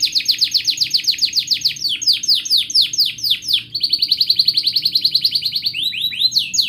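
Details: Chatty canary in long gacor song, played to prompt juvenile and silent canaries to sing. Fast descending swoops repeat several times a second, shift into an even rolling trill, then return to quick swoops.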